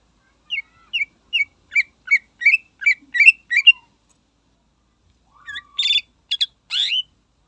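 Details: Cucak ijo, the greater green leafbird, in song meant to provoke rivals: a rhythmic row of bright downslurred whistles speeding into doubled notes, a pause, then a thin whistle and scratchy buzzes.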